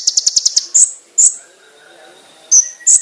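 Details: A konin gives master training song: a quick high rattling trill of six pulses, then sharp piercing high notes spaced by pauses, with a soft lower whistle from another bird between them.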